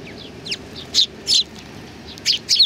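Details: Sparrows coming out to meet someone at a Tenmangu shrine on 3 July 2020 give soft downslurred notes, then louder high chirps, loosely spaced over a faint background murmur.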